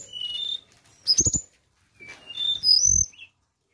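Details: Flowerpecker sound used as a lure: thin, high whistled notes, some sliding upward, in two short bursts, mixed with low thumping flutters or knocks.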